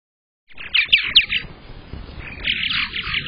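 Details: Purple martin near its nest on egg-laying day, May 15th, 2022, nest camera audio: after silence, three sharp chirps in quick succession, a quieter pause, then a burst of fast buzzy twittering.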